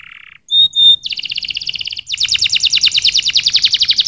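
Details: A canary sings: a low buzzy burst, two clear pure whistled notes, then a fast high trill. This gives way to a louder, pulsing series of repeated notes, several each second.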